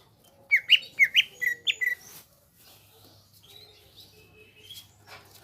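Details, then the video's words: Greater green leafbird singing: a quick burst of about six loud, slurred whistled notes over roughly a second and a half, then a quieter stretch with faint thin high notes and a low hum. "BURUNG CUCAK IJO GROPYOKAN GACOR"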